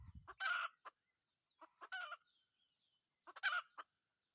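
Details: Red junglefowl rooster, a decoy in junglefowl hunting, making three short harsh bursts with quick clucks before and after, and a brief low thump at the start.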